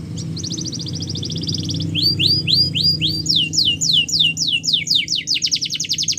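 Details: Canary champion training song: fast even trill, then rising and falling whistled phrases of repeated notes, over a steady low hum in the background.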